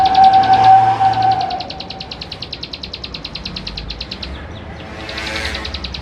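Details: A vigorous male Plain Prinia, West Java, Canon camera recording used as a provoking lure: a loud opening burst, then a long, very regular series of crisp high ticks, about three per second, ending in a brief rustling swell.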